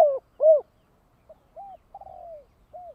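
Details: Spotted dove decoy bird in the thổ đồng voice style, calling to lure wild doves: two loud arched hoots, then softer short coos and a drawn-out falling quavering note, in a quiet setting.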